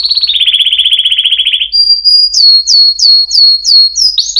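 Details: Canary song: a dense, slightly descending rapid trill, followed by a brief pure whistle and a series of sharp, upslurred chip notes repeated about three times a second.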